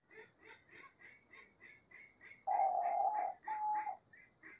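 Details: Diamond dove singing in nature: one long drawn-out coo and a shorter second coo, over a steady background of repeated high chirps from other birds.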